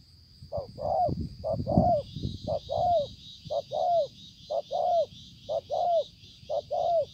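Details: Spotted dove recorded 5 September 2020, giving a steady series of two-part coos: a short note, then a longer note that bends downward, repeated about once a second over a faint constant high hiss and low rumble.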